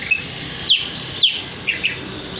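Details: Trapping lure of a sooty-headed bulbul: a handful of sharp, high chirps, two falling slurred notes about half a second apart followed by two softer short notes.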